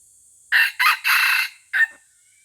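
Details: White-legged F1 junglefowl lure bird from Aceh crowing: four loud, hoarse syllables, two short, one drawn-out middle note and a clipped final note after a brief pause, all within about a second and a half against a quiet background.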